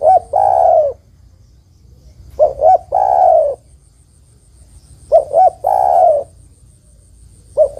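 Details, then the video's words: Female spotted dove calling for a male, used to draw out a male that rarely calls; a steady phrase of two quick coos and one long sliding coo, repeated roughly every two and a half seconds. "Tekukur betina memanggil jantan suara bagus untuk pancingan tekukur jantan yang malas bunyi."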